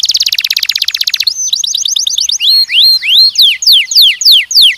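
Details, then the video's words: Canary singing in mating training for young males and females; a very fast buzzy trill, then quick chattering notes giving way to loud, slower swooping whistles that rise and fall. "treinamento de acasalamento de machos e fêmeas jovens"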